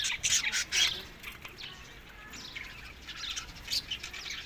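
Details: Budgerigars at food in May–June, Larkana, Sindh; a few loud squeaky chirps at the start, then softer, more distant chatter with occasional sharper notes.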